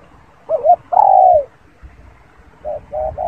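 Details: Spotted dove cooing close by: a quick double note, then a long, mellow coo that slurs downward, followed by a few shorter soft hooting notes, in a quiet setting.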